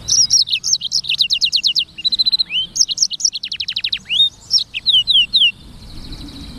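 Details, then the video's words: Energetic Black-throated canary (sanger) song: nearly continuous fast, high trills and runs of repeated downslurred notes, broken by a few drawn-out rising whistles. It fades into quiet background noise at the close. "BURUNG FINCH EDEL SANGER / BLACKTHROAT Suara Gacor"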